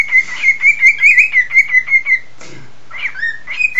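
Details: Indoor pet cockatiel warbling during a whistling session with its owner: about a dozen quick, regularly spaced chirped pulses, a brief pause, then a couple of sliding, dipping whistled notes.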